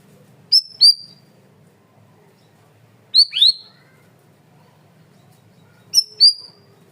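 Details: Cream-vented bulbul in a loud, clear training recording: three bursts, each a quick double note, a sharp high chirp followed by a slurred descending one, about every two and a half seconds.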